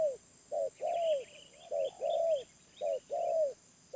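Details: Wild spotted dove giving a medium-pitched voice style, with low mellow coos in pairs: a short note, then a longer one that slides downward. The pairs repeat about once a second, and faint high chirps from other birds sit behind them.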